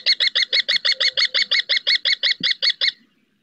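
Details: Female common kestrel at Riet Vell Nature Reserve, Ebro Delta, calling from a roof to her eldest chick during its first flights. Fast series of about sixteen sharp, piercing notes, evenly repeated, then stopping abruptly.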